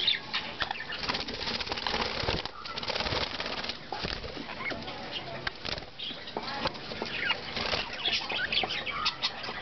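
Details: Exhibition budgerigars, including red-eyed and crested birds, chatter in a dense, scratchy stream of chirps and clicks with frequent wing flutters.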